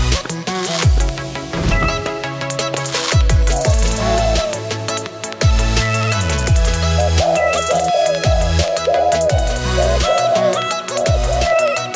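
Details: Loud electronic music with heavy bass drops and beats, and no animal sound.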